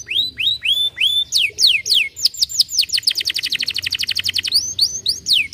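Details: Canary song played to prompt lazy canaries to sing, opening with rising, level whistled notes, then falling sweeps, a long fast rattling trill in the middle, and a few final downslurred whistles.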